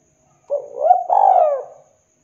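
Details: A single spotted dove phrase for luring wild doves, a short coo, a brief rising note, then a long, mellow, slowly falling coo.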